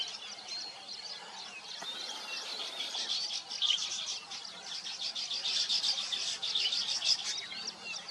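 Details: Busy weaver birds while nesting keep up a thick, high chattering of rapid chirps and squeaks, growing louder and denser in the second half.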